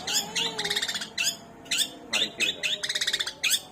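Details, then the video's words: Long-tailed shrike singing mimicked material of sparrow, kunti and tengkek buto: loud harsh chips and fast buzzy trills in irregular bursts, with a faint steady low whistle underneath. "Cendet bahan materi greja,kunti,tengkek buto"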